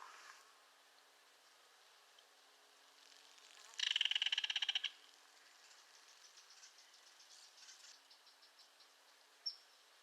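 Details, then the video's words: Belted kingfisher giving one loud, dry rattle of rapid clicking pulses lasting about a second, rising out of a quiet background with faint soft chirps trailing afterward. "Belted Kingfisher Call"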